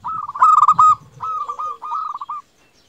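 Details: Singing local zebra dove, used as a lure and tutor sound to draw replies from other doves: stuttering runs of fast, slightly buzzy cooing notes at mid pitch, broken into three short phrases, with a deeper purring undertone.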